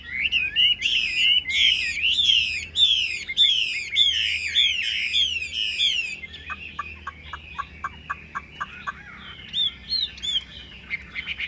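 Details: Loud, rich whistling from a caged Chinese hwamei: repeated rising, ringing phrases, then a series of short sharp notes about four a second, then whistles again.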